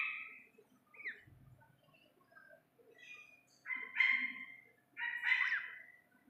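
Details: Young Iranian partridge heard in a natural, clean recording: a few softer scattered notes early on, then two loud, drawn-out harmonic calls with a slight rise near the end, about a second apart.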